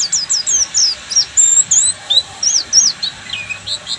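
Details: Ngeriwik song of an Oriental white-eye of the buxtoni form: about a dozen high, curling whistled notes rising and falling in quick succession, several per second.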